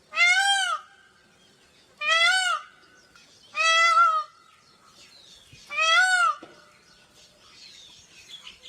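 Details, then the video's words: Peafowl giving four loud, harmonic, wailing cries at uneven intervals, each under a second long. Faint chirps of other small birds come in near the end. "peacock calls & peacock saunds मोरनी और मोर की आवाज"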